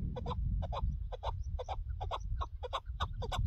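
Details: Chukar partridge recorded while partridge hunting: a steady string of paired, husky 'chuk-chuk' notes repeated about every third of a second, with strong wind rumbling underneath.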